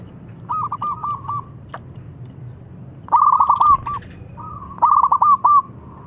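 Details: Zebra dove singing a song claimed to make rival doves answer at once: three bursts of quick, stuttering, trilled cooing notes, each phrase about a second long, with quiet pauses between them.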